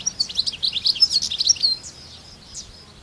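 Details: European goldfinch in the wild giving a quick burst of bright, liquid twittering notes for under two seconds, then trailing off into a few faint chirps.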